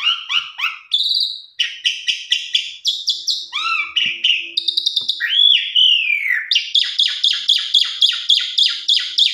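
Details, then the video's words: Pied myna song to lure other pied mynas into singing: mixed whistles and slurred notes, then a long, steady series of rapid buzzy chirps at about three or four a second. "Pancingan Jalak Suren Macet Bunyi"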